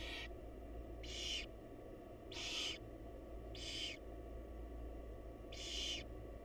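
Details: Wild barn owls in a monitored nest box as the mother feeds her chicks; five harsh, breathy hissing screeches about half a second each, spaced one to two seconds apart, over a steady low hum.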